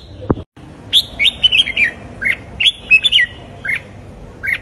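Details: Trained caged red-whiskered bulbul sings a morning phrase of rapid slurred whistles falling in pitch, followed by scattered single chirps; a sharp click opens the recording.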